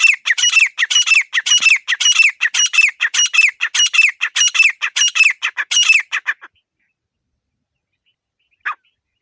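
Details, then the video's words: Grey francolin calling: rapid, strident, grating notes repeated about twice a second for six seconds, then a silent pause broken by one last short note. "Teetar Ki Zabardast Awaaz 🔊 | Clear Desi Teetar Voice"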